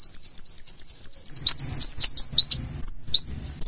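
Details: Purple-throated sunbird (kolibri ninja) singing full isian: quick high repeated notes turning into a jumbled mix of sharp sweeping and scratchy high notes over a faint low rumble.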